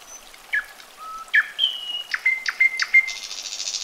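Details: Common nightingale song: slurred whistles and a low pure note, then several repeated flat whistles closing in a rough, buzzy high trill.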